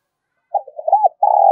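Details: Spotted dove call used to lure birds: soft low cooing notes, a few short hoots followed by a longer, steady, slightly vibrating coo cut off at the end.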